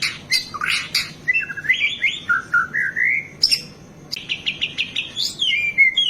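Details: Energetic White-rumped shama song meant for training caged birds, packed with mimicry: sharp chips, gliding whistles rising and falling, a short high note, then a quick run of repeated notes ending in descending whistles.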